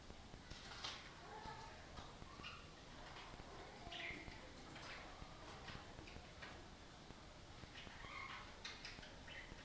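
A budgerigar's soft, chattering warble of quick chirps and clicks, given in courtship before mating.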